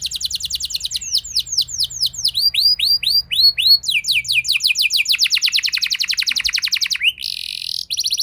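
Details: Canary singing a rolling 'ngeroll' song, used as a lure to stir other canaries into singing: high sweeping whistled notes, then long fast rattling trills of repeated syllables, ending in a brief buzzy burst before the rolls resume.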